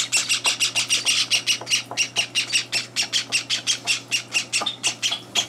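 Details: On their third day in a new home, Java sparrow chicks beg at morning feeding while two older birds barge in. They give harsh, high squawks about four or five a second, an insistent, steady chatter over a faint low hum.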